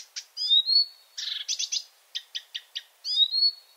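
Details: Marsh Warbler, a night-singing bird of a virtual night-singer excursion near Kuopio, Finland, delivering a varied, mimicking song: high rising whistles alternating with dry buzzy bursts and short chirps, all in a high register with no background noise.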